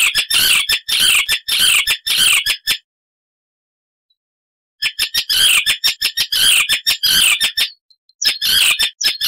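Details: Icterine warbler delivering harsh, rasping chatter in rapid clusters, a loud and energetic song interrupted by about two seconds of silence before the fast scratchy bursts resume.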